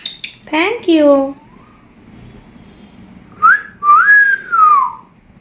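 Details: Pet African grey parrot indoors giving a sliding, voice-like falling call, then a set of clear whistles rising and gently falling, in a quiet room.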